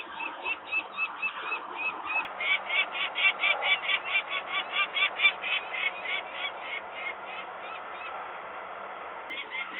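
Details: Alarmed peregrine falcon adults at their Włocławek, Poland nest, 23 May 2022 afternoon, reacting to nearby workers while the young remain on the landing; a steady run of harsh, evenly spaced cries, two to three per second, over faint background hum.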